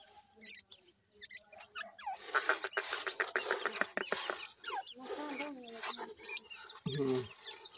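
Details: Black francolin chicks fighting indoors in a house: a busy jumble of thin rising and falling chirps, with sharp clicky bursts and a lower harsh note near the end.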